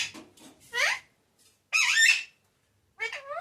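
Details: Indoor pet parrot, called tota or mithu, producing voice-like syllables: a soft murmur, then a bright bent phrase, a long rough squawky syllable and a final two-part call trailing off.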